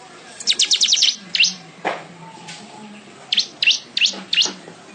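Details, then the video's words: Weaver song for training songbirds: a quick run of rapid high ticking notes, then spaced down-up sweeping chirps, one low brief thud between, over a low hum. "#MANYAR #GACOR Buat masteran burung kicau juga boleh."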